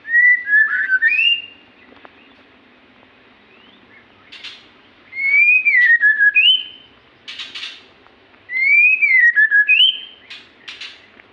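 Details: A magpie-robin in lively song gives three separate whistled phrases. Each is slurred up and down and ends on a high note, with short scratchy notes between the phrases.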